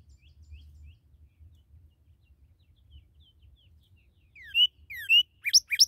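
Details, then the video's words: Newly captured red cardinal: after quiet, soft faint slurs give way to loud downward-slurred whistles and sharp upswept notes in the final seconds, with a low rumble of background noise. "Nueva Captura de Cardenal Rojo"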